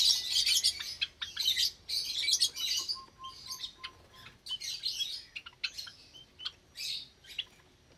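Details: Aviary Java sparrows with chicks on a May 2022 Sunday morning. Loud bursts of high chattering open the clip, then sparser single chips and tweets repeat irregularly.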